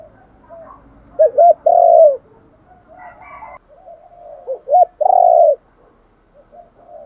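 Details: Cu gáy (spotted dove) luring coo: two phrases, each a quick hooked double note and then a long, loud coo sliding gently downward, separated by soft background cooing.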